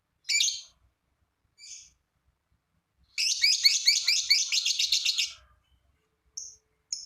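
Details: Long ngekek trill of a lovebird, used to draw other lovebirds into singing: a sharp high call and a softer note, then a fast, rattling chatter of over two seconds, ending with brief squeaks.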